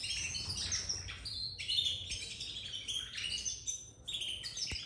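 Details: Captive-bred young domestic canaries practising song: clear high whistled notes, short slurred chirps and quick trills coming in uneven bursts, with brief gaps and a soft click near the end.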